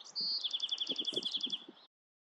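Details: Bewick's wren song: a clear, high sustained whistle leading straight into a rapid, regular trill of about twenty sharp notes lasting over a second, then silence.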